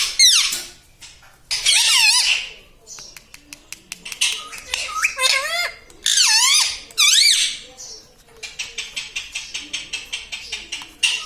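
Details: A talking parrot said to speak "Papa" and "Mummy" alternates loud, wavering, nasal speech-like phrases with sharp clicks, then ends with a rapid run of evenly spaced taps or clicks, indoors.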